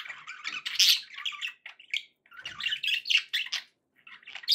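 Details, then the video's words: Pet budgies in a happy mood, dense scratchy chatter mixing buzzy warbles, squeaks and sharp chirps almost without pause. "happy budgie sounds"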